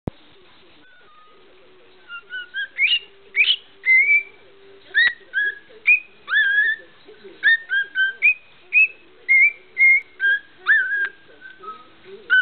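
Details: A pet cockatiel shows off by whistling the march from Bridge on the River Kwai in clear, bright notes, some rising and some swooping.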